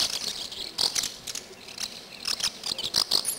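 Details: Swallow nestlings beg for food with very high, thin, buzzy cries in short overlapping bursts and quick ragged waves, stretching up with beaks wide as parents bring insect pellets hundreds of times a day, feeding the loudest chick.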